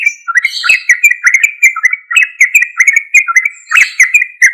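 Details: Sooty-headed bulbul singing loudly and continuously, used to lure silent or untrained bulbuls into answering; rapid chattering whistled phrases repeated several times a second with a few sharp clicks.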